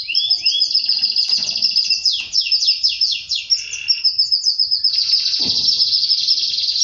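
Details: Mating-related canary song: quick ascending notes, then a series of sharp descending sweeps, followed by a long, even, buzzing high trill.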